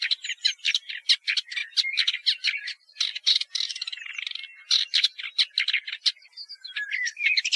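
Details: Woodchat shrike singing a long, busy medley of harsh scratchy notes, clicks and brief whistled twitters delivered almost without pause, with a few squeaky nasal phrases mixed in.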